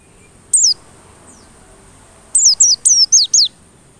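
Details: Single high falling note, then after a pause five quick thin downslurred notes; white-eye lure song intended to make white-eyes sing insistently.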